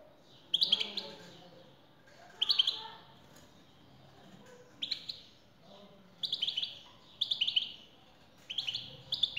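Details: Male European goldfinch responding to a female's recorded call: clipped twittering bursts repeated roughly every one to two seconds, grouped in pairs toward the end.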